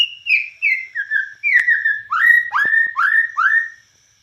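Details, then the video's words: Borneo white-rumped shama singing cililin-style phrases: a chain of whistled falling notes, then rising swooping whistles repeated roughly every third of a second. "Murai Batu Borneo Gacor Nembak Cililin"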